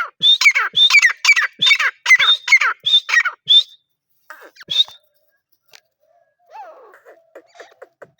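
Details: Repeated piercing, squeaky phrases from a grey francolin (teetar), about two per second for nearly four seconds, then scattered single notes and a softer lower chirping at the end.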